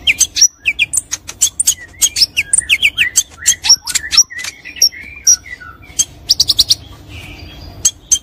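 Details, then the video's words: White-rumped shama, a champion-grade songbird, singing a choppy medley of crisp high clicks, sharp ticks and short whistled slurs, bursts of notes separated by brief gaps. "Materi sang juara || Murai batu Istimewa Gacor"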